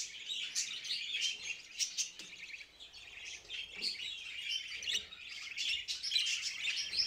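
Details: Budgerigars making mating calls: dense, continuous high chirping and warbling chatter with quick twittering notes, overlapping voices and no clear pauses throughout.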